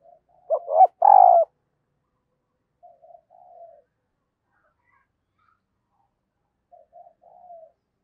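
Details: Decoy spotted dove calling wild birds: one loud short burst of coos near the start, followed by fainter, more distant cooing phrases later on, with long silences between.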